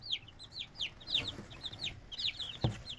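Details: Several red junglefowl chicks calling with high, slurred cheeps that overlap in quick bursts, plus a sharp knock near the end.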